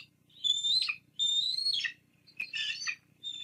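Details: Bald eagles at their nest on Fraser Point, caught on a live nest camera on 17 April 2022, as the female feeds two small chicks a fish the male brought. Thin, high, squealing whistles, three drawn-out notes each ending in a sharp downward slur, over a low hum.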